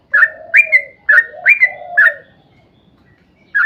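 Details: Song of a sooty-headed bulbul, played to coax other bulbuls to sing: five quick rising whistled notes with lower sliding warbles, then a silent gap before one more note.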